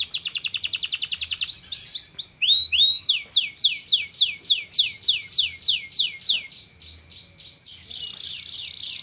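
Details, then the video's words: Canary singing to encourage lazy birds: a quick rattle, then a run of loud sweeping whistled slurs about twice a second, ending in a buzzy trill. "Магутны для стымуляцыі гультаяў лянівых птушак"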